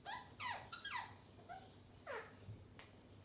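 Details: Indian ringneck parakeets at play, uttering a quick series of rasping, downslurred squawks in irregular bursts, with a faint constant low hum behind.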